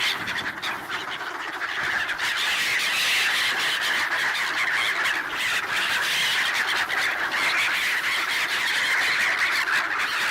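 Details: A large flock of black-headed gulls fed only bread at a swan site in Ibaraki Prefecture, Japan, late December 2017, swans and ducks nearby; continuous raucous chorus of screechy overlapping cries, several per second, with no pause.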